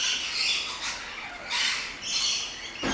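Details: Rainbow lorikeets in a noisy aviary at an orchid farm in Luttelgeest, Netherlands: harsh high screeches in swelling waves, ending with a short broadband knock or rustle.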